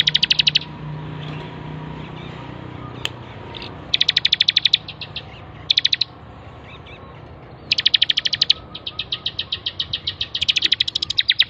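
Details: Ciblek (bar-winged prinia) singing persistently on a training master track: fast chattering bursts of piercing high notes, several stretching into long continuous trills, with one sharp click and faint low hum.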